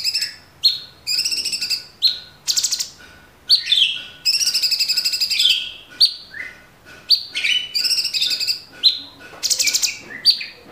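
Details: Kept cucak cungkok (Orange-bellied Leafbird) delivering energetic 'tembakan' style master song: quick whistled slurs alternating with long buzzy trills and chatters, repeated densely, a faint steady hum beneath.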